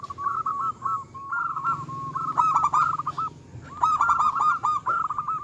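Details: Local zebra dove, a strong singer used to provoke rivals and raise their breeding drive: rolling, bubbling cooing phrases repeated several times, with faint high chirps from other birds.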